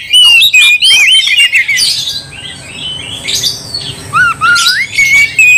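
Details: Fighting-provocation song of an oriental magpie-robin: bursts of scratchy high notes followed by clear whistled upslurs and downslurs, delivered in short rapid phrases.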